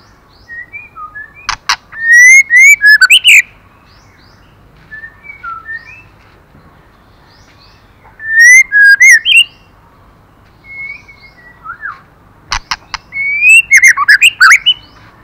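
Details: White-rumped shama song, a female stimulating the male: loud, clear rising whistles that break into rapid twisting note bursts, phrases repeated three times with short pauses and sharp clicks between them.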